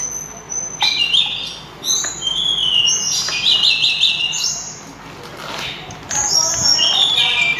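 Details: Sulingan, also called tledekan gunung, singing loudly and melodiously: high, clear whistled notes and short trills in quick phrases separated by brief pauses, some notes sliding or wavering, with faint background hiss.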